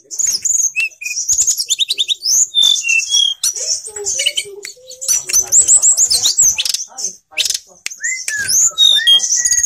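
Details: Captive Grey Bushchat in full song: a rapid, nonstop jumble of high chirps, buzzy trills and clear whistled notes, with short pauses between bursts.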